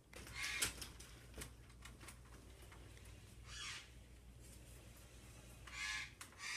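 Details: Male eclectus parrot, a rescued bird kept in a cage, protesting while his cage is cleaned: three harsh, raspy squawk bursts spaced a few seconds apart, with faint clicks and a low room hum between them.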